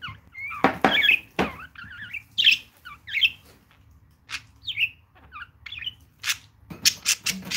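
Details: Two pet budgerigars at home, a mother and her young, male and female; loud bright chirps, squeaky rising and falling notes and short twitters, mixed with sharp clicks and rustling.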